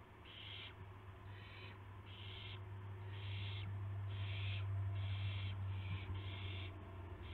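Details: Owls at dawn, 26 March 2016, with a gopher and a mouse brought as prey; a quick run of short, harsh hissing screeches follows almost without pause, over a strong low hum.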